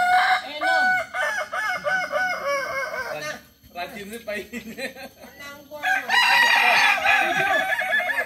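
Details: Multi-level crowing of the Kukuak Balenggek chicken, a local breed of Tigo Lurah, Solok, West Sumatra. Repeated arching crow notes in stepped sequences with a brief gap in the middle and faint voices in the background.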